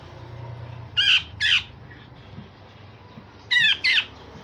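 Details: A grey-cheeked bulbul that serves as a song tutor for other birds gives two pairs of loud, raspy, sharp notes separated by a short pause.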